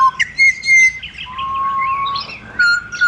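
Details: Pied butcherbird in Australia giving rich, mellow whistles: a short low note, a long steady higher whistle, a long low fluty tone, then a final clear whistle, with softer chatter between.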